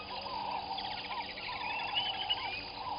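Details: Southern masked weavers at their nests by Gowrie dam waterhole, Djuma Game Reserve, Sabi Sand, South Africa, 05:23 on 15 January 2021, give busy, buzzy chattering with rapid rasping trills and wavering notes, several calling over one another.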